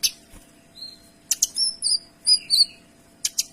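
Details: Energetic Kinoy song as tutor material: crisp high whistled notes and slurs in quick succession, framed by sharp chip notes at both ends.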